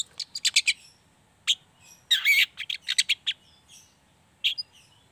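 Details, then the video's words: Pied bushchat singing energetic chattering song, used as a training lure to make other bushchats sing; bursts of sharp high chirps and buzzy notes, a dense scratchy cluster midway, then scattered short tweets, with faint low background hum. "Pancingan Cendet Trotol Paud Gacor Ngriwik"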